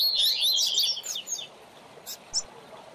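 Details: Double-collared seedeater (coleiro or papa-capim), a teacher song used to train young birds: a fast, warbled run of high twittering notes in the first second, then a few scattered chirps over a quiet hiss.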